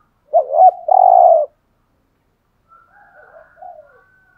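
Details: Spotted dove coo in the 'hạp bổi' voice for stimulating caged males. One phrase of hooked short notes and a steady low hollow coo, followed by quiet soft notes and a faint high chirp.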